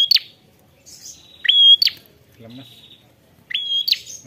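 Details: Prinia calling out to a rival with clipped rising whistles ending in a buzzy flick, spaced about two seconds apart, with a faint low voice between calls.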